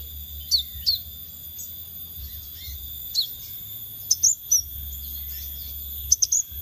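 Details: High, thin chirps and quick squeaky note clusters of a scarlet minivet, used as a lure, come in scattered bursts every second or so. Constant high tonal drones and a low background rumble run throughout.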